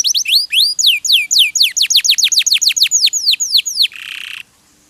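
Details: Canary from a masteran song-tutoring recording. Loud downslurred and looping whistles repeat several times a second, ending in a short harsh buzzy rasp.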